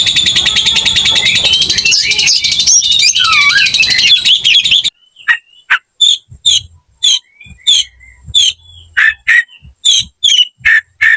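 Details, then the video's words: Oriental magpie-robin (kacer) in aggressive fighting song, a dense, loud layered warble for about five seconds, then an abrupt cut to sparse, sharp high chip notes and short whistles repeated at irregular intervals. "KICAU KACER TARUNG NGOTOR"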